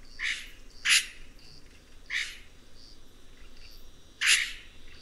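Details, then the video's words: Red-rumped cacique singing: four harsh, broadband crackling bursts spaced unevenly over five seconds, with faint softer notes between them against a quiet background. "Canto do Guaxe - (Cacicus Haemorrhous)"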